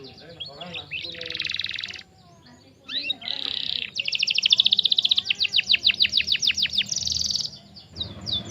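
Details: Belgian canary; song; played to train young canaries to sing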